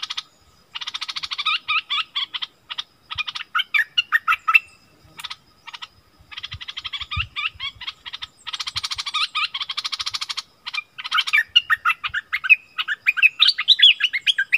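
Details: Wild striated bulbuls quarrelling fiercely: nearly continuous alternation of rasping rattles and quick, bubbly, whistled phrases, with rising and falling slurred notes toward the end.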